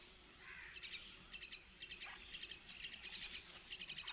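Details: Myna chicks being fed by a parent beg with harsh, raspy, high bursts, repeated about twice a second in uneven clusters over faint background hiss.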